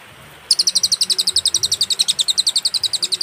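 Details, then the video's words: Cililin song from a clean birdkeepers' master recording with pauses: a rapid series of high, bright chip notes starts after half a second and continues steadily, each note evenly spaced. "burung cililin suara jernih & berjeda"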